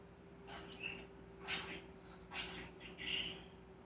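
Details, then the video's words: Male common starling with a wide mimicked vocabulary of kisses, laughs, clicks, whistles and human phrases; here breathy noisy bursts alternate with short clear whistled notes, about four sounds in a few seconds, over a steady low hum. "Starling with a full vocabulary"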